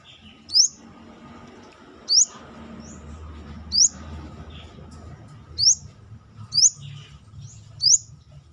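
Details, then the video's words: Brown-throated sunbird singing outside the cage as a tutor bird: six sharp rising whistles at irregular one- to two-second intervals over a steady low mechanical hum and background murmur. "KORLAP (Kolibri kelapa)Manggar gacor luar sangkar"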